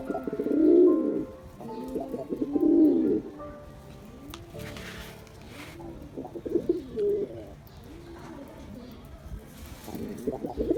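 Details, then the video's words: Black male pigeon in display, giving low throaty coos, two strong ones early then softer, fainter coos later, spaced a couple of seconds apart, with continuous music playing underneath. "Pigeon Sound Effect || Male Pigeon Super Performance || Black Pigeon"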